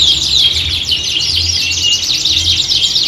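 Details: Canaries in a group song session imitating a singing competition; a brief burst of thick, overlapping twitters, whistled slides and rapid trills, with a faint low hum.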